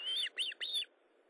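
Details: Osprey at its nest during feeding, 19 July 2012 at 9:43: three quick, bright whistled notes, each with a slight downward inflection, then quiet.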